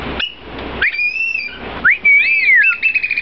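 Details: Black oystercatchers kept at the Seattle Aquarium, one adult and one juvenile about four months old, calling together: loud piercing whistles, some swooping upward then held level, ending in a quick stutter of clipped notes, with a low room hum beneath.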